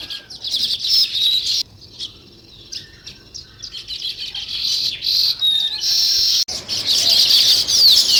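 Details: Sparrows chirping: dense, bright, high-pitched chatter of overlapping short notes, loud in bursts, with a brief quieter stretch before the chirping swells again.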